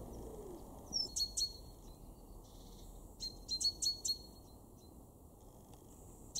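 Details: Great tit in a garden in Weener, East Frisia, far northwestern Germany, in February 2023, giving short bursts of high, sharp, clipped notes, one pair near the start and a run of four to five notes later, over quiet background hum.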